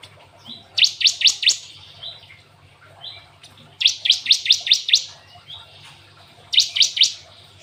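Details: Cinereous tit, or glatik watu, delivering canary-filled song: three loud bursts of four to six fast, sharp, high notes, separated by quieter chirps and soft twittering, over a faint low hum.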